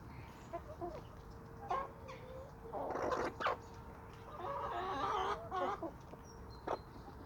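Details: Chickens and roosters of a small suburban homestead flock on sandy soil. Scattered clucks lead into two loud harsh squawking bursts at three and five seconds, with a few short clucks between them and a steady low hum behind.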